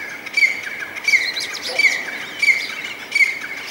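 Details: Partridge calling: a short, sharp whistled note repeated about every seven-tenths of a second, five times, against a steady outdoor background hiss.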